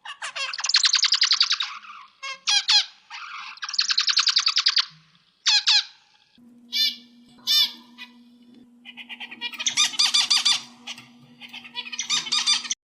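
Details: Zebra finch song used as master material for training birds: loud buzzy nasal bursts and sharp chips, then quieter mixed twittering that swells again, over a steady low hum.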